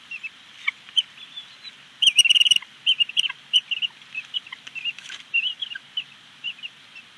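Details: Female bald eagle calling at her nest at Big Bear Lake on 25 April 2019 after her mate dropped off an unseen item: a rapid series of high, thin chirps and twittering notes, with a brief louder, harsher burst near two seconds.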